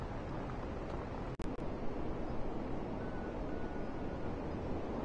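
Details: Dense low wind and rumbling noise fills the recording, broken by two sharp dropouts near the middle and a faint thin tone later on.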